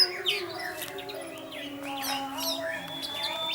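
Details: Orange-headed thrush in 'teler' singing style, used as a lure to get other thrushes singing: quick varied chirps, sweeping whistles and high trills tumble over each other, above a steady low humming drone.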